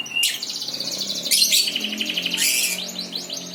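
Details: Birds singing, a continuous high chirping song with rapid trilled phrases and buzzy bursts, dense rattling notes throughout, loud and close with little background noise.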